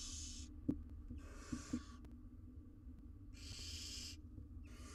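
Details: Four wild barn owl chicks sit in a monitored nest box in Israel while the mother is out. Four long, raspy, breathy hisses are heard, two early and two later, with light tapping sounds in the pauses.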